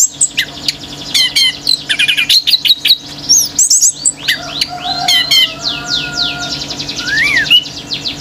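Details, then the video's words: Male orange-headed thrush pouring out a long, varied song while other birds react aggressively: dense twittering, chattering trills, fast repeated sweeps and a lower whistled note, several voices overlapping. "ANIS MERAH GACOR TELER‼️BURUNG LAIN IKUT NGAMUK‼️"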